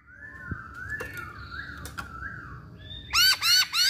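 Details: Chinese hwamei singing: soft, wavering slurred whistles drift up and down through most of the phrase, then three loud, sharp, ringing upswept notes burst out at the end over a faint room hum.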